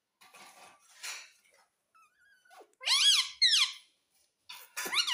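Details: Pet parrot talking, said to be saying "mummy": faint murmurs early, then two loud, harmonic, squeaky voice-like phrases near the three-second mark and a third at the end, indoors in a small room.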